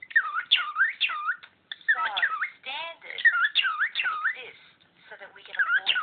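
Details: Pet cockatiel chattering over a lecture indoors, also talking to its owner's toes; looping whistled notes that dip and rise, repeated quickly in bursts with short pauses, in a small room.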